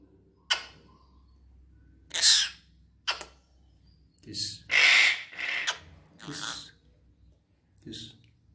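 A red-breasted parakeet gives harsh, raspy squawks in uneven bursts, about six over eight seconds, some long and grating, in a quiet room.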